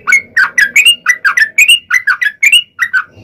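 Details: Long rapid song of a yellow-vented bulbul, used as a lure to make other bulbuls sing, made of rich slurred notes that rise and fall, roughly four per second in a steady run.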